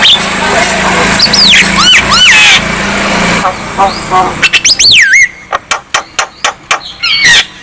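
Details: Energetic Javan myna song played to get idle mynas singing: looping whistled slurs and rasping notes, then a rising-falling whistle followed by a series of sharp clicking pulses roughly every third of a second.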